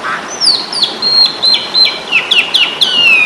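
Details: Indonesian jalak suren (Asian pied starling) fighting song used for tutoring caged birds: a string of bright, downslurred whistles repeated roughly every quarter second, ending in one long falling whistle.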